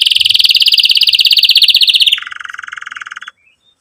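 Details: Canary in full song with emotional 'cuit cuit' chirps, aimed at teaching young canaries and reviving silent singers; a loud rapid high trill drops abruptly to a softer lower roll, then fades out.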